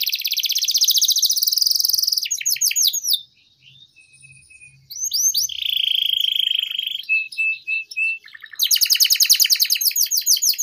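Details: Canary in long song used to draw other canaries into singing and tutor young birds: buzzy rattles, bursts of fast falling sweeps, a near-silent pause, flat whistles, then another loud rapid rattle.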